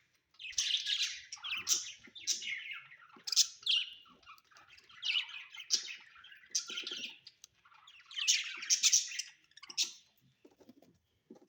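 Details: Pet budgies at home chirping and warbling in quick, harsh, buzzy bursts spaced about half a second to a second apart, with faint low knocks beneath.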